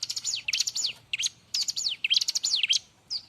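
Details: Bar-winged prinia in loud, busy, lively song, used for tutoring other birds: rapid bursts of thin, high, down-slurred and up-slurred whistles packed closely together, broken by brief pauses, over a faint low hum.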